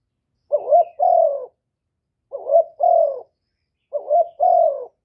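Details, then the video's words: Kept spotted dove, recorded clean without noise, cooing to stir rival doves into calling: three husky two-part phrases, a brief wavering lead note followed by a longer, smooth, slightly falling coo, spaced about one and a half seconds apart. "Tiếng chim cu gáy kích bổi giọng hạp bổi"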